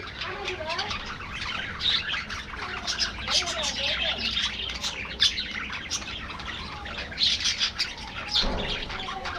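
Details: Aviary budgerigar flock chattering nonstop: bright, rasping chirps and short warbled notes tumble over one another, dipping briefly before rising again toward the end.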